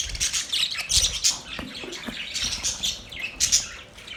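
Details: Pet budgies in a busy flock chorus, dense high warbling chirps and squeaks overlapping without pause.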